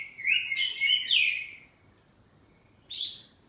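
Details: Home-kept oriental magpie-robin of the poci variety singing in ngeplong style with back-and-forth phrases: a loud, rich, whistled warbling phrase of over a second with rapid twists, a pause, then a short bright note.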